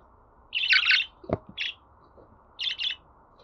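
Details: Budgerigar chirps for encouraging a pet budgie to sing: a rich warbling double burst, a sharp click, a lone chirp, and after a pause another paired chirp.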